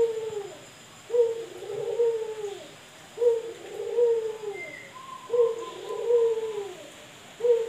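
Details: Male Barbary dove loose inside a house, cooing steadily: deep, rolling, two-part coos that dip in pitch, repeated roughly every two seconds with short pauses between.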